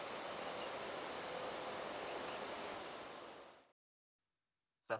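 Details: Group of Tree Pipits on nocturnal migration, late August 2021 at 6:25 am: two pairs of high, thin flight calls about two seconds apart, one strongly buzzy and modulated, one less modulated, over steady rushing hiss.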